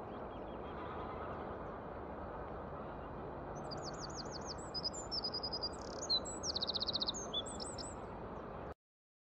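A Eurasian wren bursts into a high, rapid song of ringing notes and fast trills lasting about four seconds, over a steady rushing background noise.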